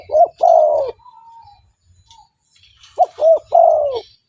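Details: Spotted dove calling vigorously, used to attract wild spotted doves: two phrases of short paired coos ending in a long sliding-down coo, separated by a soft faint whistle.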